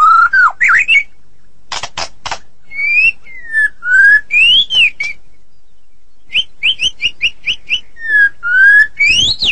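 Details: White-rumped shama of the Medan type, singing energetically: clear whistled notes rising and falling between low and high pitch, short repeated upslurred notes, and bursts of harsh raspy notes between the phrases, with a short pause midway.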